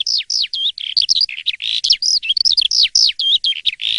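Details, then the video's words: Asian pied starling's morning singing: quick downslurred whistles and squeaky warbles strung together densely, loud and unbroken, with faint low background thumps. "Kicau dipagi hari!! BEGINI JALAK suren yang gacor dan ngeplong di waktu pagi"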